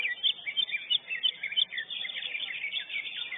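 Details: Lesser green leafbird, the first-place winner at a bird singing competition, delivering a dense, rapid stream of high chattering and twittering notes with quick rising and falling slurs, almost without pause.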